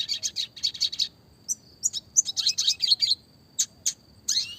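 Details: Classic red siskin song with roll and rapid 'tembak' variations: quick twittering clusters, sharp high chips and a closing rising slurred note, with short silent gaps.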